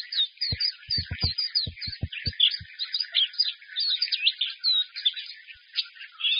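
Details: Caged white-eye singing strongly as its cage is held: an energetic run of sharp, bright twittering notes and slurs, with a series of dull knocks or taps early on.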